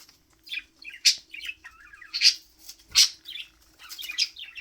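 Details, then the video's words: Budgie, described as frustrated and in a mood, giving short harsh grunting and chattering bursts, about one every second, mixed with soft scratchy chirps. "Budgies R funny when frustrated?! (Bobo grunts)"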